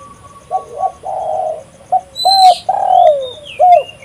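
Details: Tekukur, the spotted dove, calling to lure birds: a run of short and long husky coos with one clear hooked note, plus thin higher whistles from other small birds in the background.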